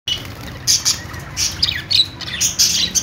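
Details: Budgerigar singing: dense bursts of high chirps and squawky notes, some sweeping downward, overlapping in a busy chatter with short pauses; faint low hum beneath.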